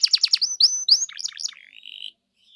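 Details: Canary song played to lure another canary into singing: a burst of rapid downslurred chirps, then rising whistled notes and a short buzzy trill that fades into silence.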